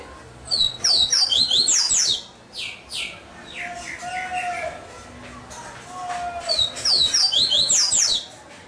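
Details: Double-collared seedeater in captivity sings two vigorous phrases of quick, high, down-slurred whistles, separated by several seconds of softer chirps and harsher notes.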